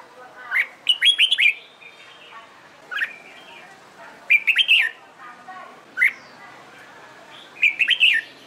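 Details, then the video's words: Caged red-whiskered bulbul trained for competitive singing repeats brief bursts of bright slurred whistles every one to three seconds, with softer chirps and fainter warbled notes between phrases. "LUYỆN CHÀO MÀO HÓT ĐẤU/ CHÀO MÀO MÚA HÓT CHÉ VUI NHỘN"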